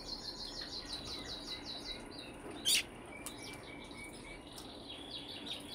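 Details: Brambling giving fast, high, downward-slurred chirps in a tight series, then a single loud click-like burst, followed by quieter scattered notes and steady hiss.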